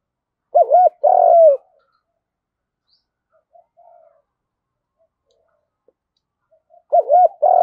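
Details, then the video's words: Lure recording of a spotted dove's field-style fighting coo: two looped notes and a sustained downslurred coo, a long near-silent gap with faint murmurs, then the phrase starting again. "chim cu gáy gù đấu và thúc bài bản giọng đồng"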